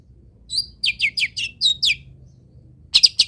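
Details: Long-tailed shrike tutor song for training other birds: a quick run of short, high, downslurred chirps, a pause, then a burst of harsh, loud, scratchy notes.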